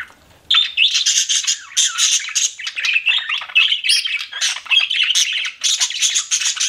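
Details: After a short quiet start, pet budgies burst into loud, continuous chatter of fast trills, chirps and squawks, high-pitched and densely layered.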